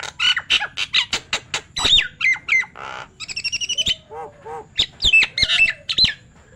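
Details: A Nias hill myna, a bird that can talk, delivers a rapid medley of loud squawks, chirps and whistled notes, including a fast stuttering series of clicks and some lower hoarse sounds.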